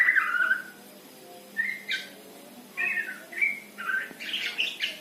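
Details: Male white-rumped shama giving trotol song: a string of short, sharp whistled phrases repeated about every half second, mixing clear rising notes with buzzy, rough fragments, and growing denser and louder toward the end.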